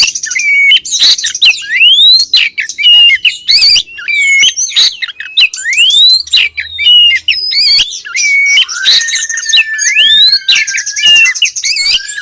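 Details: Oriental magpie-robin female calling to the male, as a lure: twelve seconds of nonstop varied song, with rising whistled sweeps, quick trills, harsh squawks and buzzy rattles packed close together.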